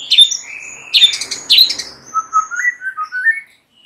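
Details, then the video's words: Morning lure song of a white-rumped shama: loud scratchy notes blend into a drawn-out whistle, then a stepped, rising and falling sequence of clear whistled notes. "Jadikan murai PAGI HARI Terpikat NGEPLONG dan GACOR"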